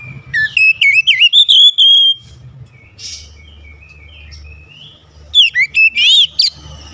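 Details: Oriental magpie-robin singing continuously as a lure. Rapid loud whistled notes rise and dip, followed by a long sustained whistle, soft high notes over low hum, and then another energetic burst of sharp slurred whistles.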